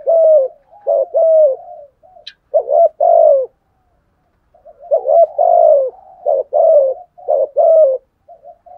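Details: Decoy spotted dove giving provoking coos to draw other doves; low resonant two-note phrases, rising then falling, in two bouts separated by a short silence.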